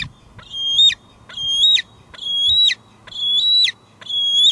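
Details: High piping squees from a female bald eagle at a Two Harbors nest, recorded by live cam in July 2022 as she shuttles between nest and patio calling; five loud squealing notes, each ending in a quick downward trill, close together.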